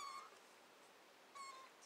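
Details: A hand-fed pearled cockatiel chick, the scared one that screams and dislikes hand-feeding, gives two short, thin, reedy squeals about a second apart, the second longer and falling at the end, in an otherwise quiet room.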